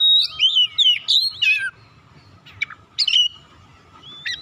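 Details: Oriental magpie-robin singing to call and provoke other magpie-robins into song. A rapid run of looping, slurred whistles in the first second and a half, then a pause and a few separate chirps, over a constant low hum.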